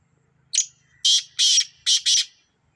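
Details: A Sindhi black francolin gives a brief opening note followed by four loud, harsh, grating notes in two quick pairs, all within about two seconds.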